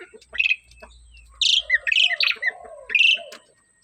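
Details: Javan myna singing energetically: short bursts of bright, scratchy chirps and squeaky whistled notes mixed with lower slurred warbles, in a few quick phrases, over a faint low hum.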